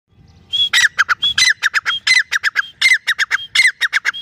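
A francolin gives loud, harsh, squawking notes in quick clusters of three to five, with a brief clear whistle between groups, repeated steadily throughout.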